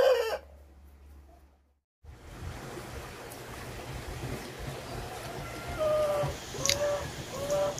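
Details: Korean native chickens, free-ranged outdoors on grass they love to graze and described as greatly enjoying it, give a few short, low clucks spaced about a second apart near the end, over a steady outdoor hiss.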